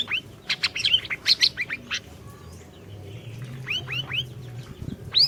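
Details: Orange-bellied leafbird singing steadily, kept as a lure for a bird that has gone quiet: a quick cluster of high sharp notes and upslurred whistles, a short pause, then three more rising whistles and a bright closing note.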